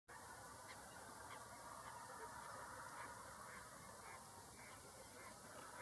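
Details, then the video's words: Whooper swans give a steady chorus of overlapping honking, trumpet-like calls, many birds at once with no break. "whooper swan"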